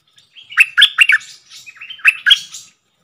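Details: Wild red-whiskered bulbul answering a caged decoy bird: a bold phrase of bright, rapid whistled notes, a short pause, then a second similar burst of chirpy, bubbling notes.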